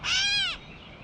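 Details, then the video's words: A single loud, harsh, cat-like mew from a Gray catbird eating in a backyard, about half a second long and gently downslurred at its end. "Catbird Call | Gray Catbird Call"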